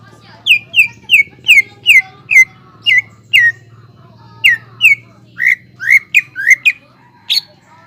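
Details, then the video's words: Greater green leafbird singing vigorously, a recording meant to rouse untrained leafbirds into song: a series of clear downslurred whistles about every third of a second, a brief gap, then quicker rising notes and one sharp high note. "PANCINGAN CUCAK IJO GACOR INI MAMPU MENAIKAN EMOSI IJO BAHAN AGAR BUNYI GACOR"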